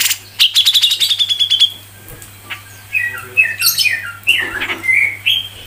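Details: Grey-cheeked bulbul, a tutor recording for training songbirds, in a dense ngepik song style: a fast train of sharp ticking notes with a level whistled trill, then scattered slurred, rising and falling whistles. A steady low hum runs underneath.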